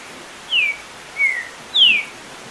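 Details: With rain falling in the background, a green-winged saltator in top form gives a short phrase of three descending whistled notes, the last one highest and strongest, as part of a burst of over ten songs per minute.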